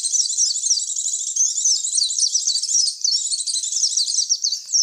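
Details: White-eye (pleci) lure call used to attract white-eyes: a dense, unbroken stream of high, rapid twittering and chirping notes, thin and jittery, running through the whole recording without pauses, clean with no other sounds.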